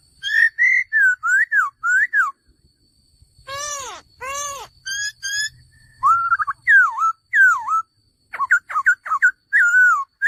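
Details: Male laughingthrush delivering repeated looping whistles in quick sets, broken by a few harsh buzzy notes, then more wavering whistled phrases and rapid clipped notes.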